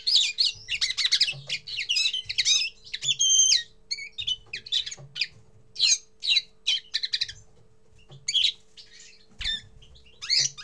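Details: Common linnet singing its first song: a lively twittering run of rapid, varied chirps, trills and short buzzy notes in bursts, with brief pauses between phrases and a faint steady hum in the background.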